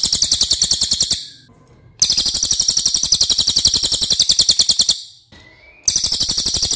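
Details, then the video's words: Racket-tailed treepie, known for a loud voice that tries to outdo other birds, giving a training song: a quick, rasping, high-pitched rattle in three bursts separated by pauses of under a second. "MASTERAN CILILIN OKE BANGET"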